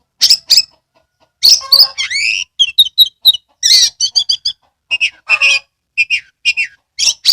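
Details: Oriental magpie-robin in Kebumen, Central Java, in full song with tail fanned: loud scratchy bursts, rising whistled slurs and rapid chattering notes in an uneven, energetic sequence.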